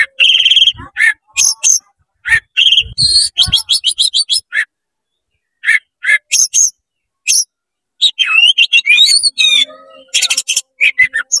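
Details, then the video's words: Oriental magpie-robin belting out fast, continuous song with tail spread to provoke other magpie-robins; dense sequences of sharp chirps, rapid trills and twisting whistled phrases, repeated in quick bursts with brief pauses. "CEPAT GACOR BUKA EKOR DONGKRAK EMOSI KACER KONSLET BIKIN KACER LAIN PANAS"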